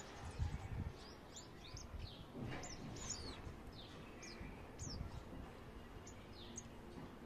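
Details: Male sunbird parent and chick calling to each other after the chick fell from the nest; thin high downward-sweeping chips repeat every half second or so over low rumbling background noise.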